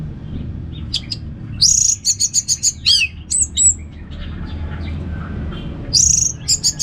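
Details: Orange-headed thrush (anis merah) ngeplong song from North Bali: a brisk sequence of high buzzy chirps and clipped whistles in rhythmic bursts, a pause of soft notes, then a final high chirping run over low hum.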